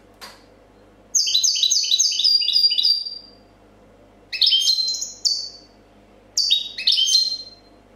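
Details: Champion European goldfinch from a 2014 competition singing a clean copia-style song: rapid strings of bright, ringing high notes with trills, delivered in three bursts separated by short pauses, indoors with a faint low hum behind.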